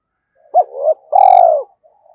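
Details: Spotted dove used as a decoy bird, cooing soon after being roused: a brief hooted note, a softer rising murmur, then one long drawn-out coo that sags at the end.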